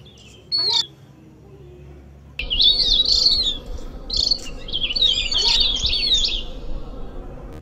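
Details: Javan grey-throated white-eye call used as a lure: one short high chirp, a pause, then several bursts of rapid, high twittering chatter over a steady background hiss.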